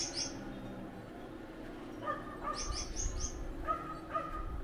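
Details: Gouldian finch pair producing short strings of thin falling high notes, alternating with gentle repeated mid-pitched peeps, over a low rumbling background.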